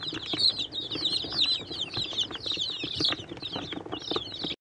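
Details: Mixed-breed chicks, Bielefelder, Catskill Homesteader and Swedish Flower Hen, in a brooder while feeding and drinking; constant thin, high chirping from many chicks with scattered pecking clicks, ending abruptly in silence.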